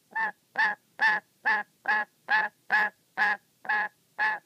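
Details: Angry pet black-capped lory, wary when watched playing with its favourite sock; ten harsh, nasal squawks delivered in a steady rhythm, roughly two per second, loud and evenly matched, with a quiet background.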